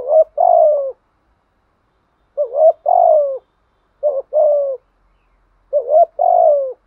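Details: Spotted dove singing a structured 'thúc gù' cooing pattern meant to prompt a shy newly caught dove to coo back: four low phrases, each a short wavering double note then a long falling coo, in clean quiet surroundings.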